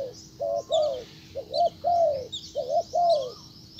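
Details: Spotted dove decoy calling toward a wild bird, which ignores it. Deep, rounded coos come in pairs: a clipped double note, then a swelling falling coo. Faint twittering of small birds sounds in the background.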